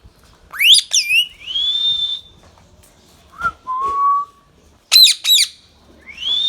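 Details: Baby ringneck parrot kept as a pet, calling in a small room: sharp upward-sweeping harmonic squawks in quick pairs, drawn-out high rising notes, and a couple of steady mid-pitched whistles between them.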